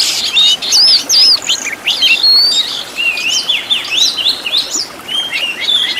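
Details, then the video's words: Oriental magpie-robin master song used to train caged birds, with luxury 'isian' fill-in phrases: brisk, high whistled notes with sharp twists, fast chirpy runs and a long, flowing warble. "MASTERAN BURUNG KACER FULL ISIAN TEMBAKAN MEWAH LENGKAP"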